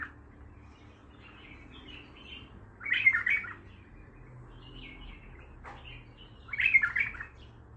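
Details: Bulbul, untrained, singing Baghdadi-style: quiet high twitters lead to a rich gurgling phrase; more soft notes follow, then a second warbled burst about four seconds later.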